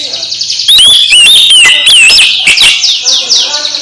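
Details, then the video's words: Oriental magpie-robin singing to set another magpie-robin singing again: a continuous burst of loud whistled notes, each rising then falling, followed by quick scratchy trills. "Kacer MBAGONG langsung GIRAS lagi setelah dengar KICAU Kacer ini"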